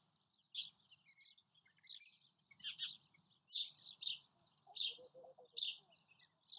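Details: A semi-collared flycatcher (Ficedula semitorquata), a small migrant in Kuwait, gives high, thin, scratchy call notes in quick bursts about every half second, some overlapping, with a faint low hum beneath.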